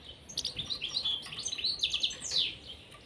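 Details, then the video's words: European serin pair in a cage; one bird delivers a continuous, very high, jingling and buzzy twitter of rapid slurred notes, ending with a downward-sweeping trill. "طائر البسبوس في القفص_serin cini en couple dans la cage"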